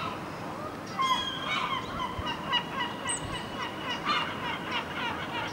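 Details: Red-legged partridge at dawn in Alvor, Algarve, Portugal, digiscoped: grating, rhythmic chuk notes tumbling in quick sequences with louder accents, plus one thin high whistle from another bird midway.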